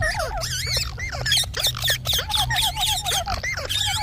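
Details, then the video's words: Ringneck parrot chattering quickly, about four clipped syllables a second, wavy squeaks and short whistles over a faint low hum. "Parrot Talking |Ringneck parrot sound"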